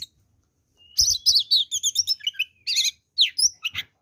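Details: Oriental magpie-robin in full fighting song, rich with varied fills and used to provoke rival birds into aggression: silence, then a rapid string of bright whistled and warbled notes, a long thin rising whistle, and sharp chattering phrases.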